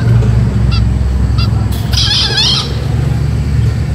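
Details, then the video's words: Four-month-old green junglefowl giving one short, hoarse, high crow lasting under a second, preceded by two faint brief chirps, over a loud low rumbling background. "kokok ayam hutan Hijau 4 bulan"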